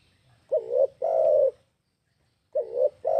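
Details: Spotted dove, known locally as tekukur, singing: low, mellow coos, a short note then a longer sustained one, in pairs separated by a pause of about a second.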